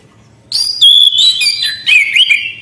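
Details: Short, loud run of orange-headed thrush song: a clear high whistle falling into a sustained tone, then twisting whistled slurs and buzzy notes after a brief quiet start.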